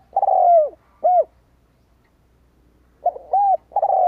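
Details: Spotted dove kept as a decoy, calling to lure wild doves: the end of one cooing phrase with a long falling note and rounded coo, a pause of nearly two seconds, then a new phrase of soft clipped and rounded coos.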